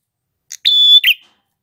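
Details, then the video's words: One phrase from a male red-headed prinia: a quick tick, a level high whistle lasting about a third of a second, then a short buzzy note. "Prenjak kepala merah jantan gacor ngalun"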